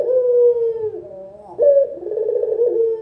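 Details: Local spotted dove lure call: a drawn-out falling coo, then a fresh phrase starting with a clipped rising note and a rolling, purring tail at low, soft pitch.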